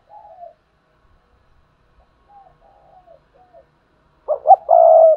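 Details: Decoy spotted dove cooing to lure other doves into calling: a few soft, mid-pitched coos, then a louder, throaty burst of rolling coos ending in a drawn-out note, in an otherwise quiet setting.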